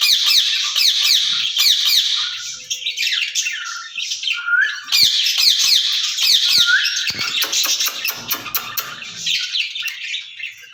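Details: Ringneck parrots caged together chatter continuously with fast repeated raspy syllables, a couple of clear rising whistles, and sharp clicks, the noisy exchange running throughout.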